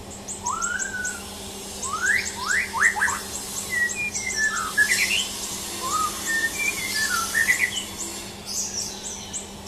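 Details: ['Champion white-rumped shama song of varied whistles: one long falling note, then upward-sweeping slurs and short twisting phrases, mixed with rows of thin high ticking chirps and a faint steady hum.']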